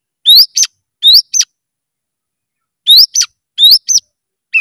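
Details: Oriental magpie-robin singing energetically with emotion, repeating a paired phrase of a rising whistle followed by a sharp downward note, given four times with a long pause after the second, ending on a level whistle.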